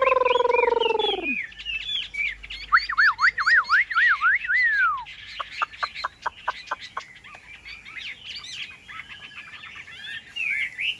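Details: Singing caged Chinese hwamei: a loud, harsh descending note opens, then a series of looping wavering whistles, a downward slur, a run of quick dry ticks and ongoing high chatter.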